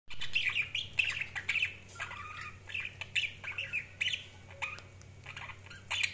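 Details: Budgerigars chirping: a busy stream of short squawky and warbled chirps overlapping one another, with a steady low hum underneath throughout.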